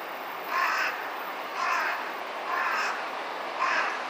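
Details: A Large-billed Crow, one of several jostling to perch on the top of a tower, gives four harsh, nasal caws, about one a second, over a steady background hiss.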